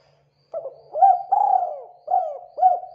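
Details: Spotted dove of a local strain, its song played to lure other doves: a run of five throaty coos, one drawn-out, falling note in the middle, the rest short, clipped hoots rolling into one another over a faint hum.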